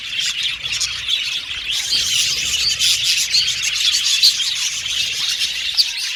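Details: Happy budgerigars chirping, offered as company for lonely budgies: a dense, continuous chorus of high, buzzy chirps and warbles from many birds at once, steady and unbroken, over a faint low hum.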